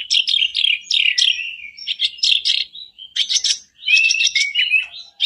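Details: Song of a black-browed reed warbler, played as a lure to start a caged bird singing: loud, fast scratchy chatter with shifting phrases, brief slurred whistles and a few short gaps.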